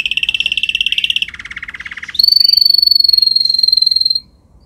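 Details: Canary singing on a training recording: a fast mid-pitched trill drops to a lower rolled phrase, then rises into a long, high, clear whistled roll held about two seconds.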